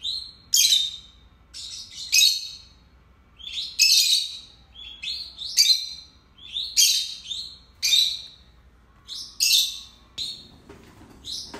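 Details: Two pet lovebirds, a pair kept together, give rapid bursts of shrill, squeaky chirps and harsh tweets, high-pitched and clustered in quick volleys about every second, with short pauses between runs.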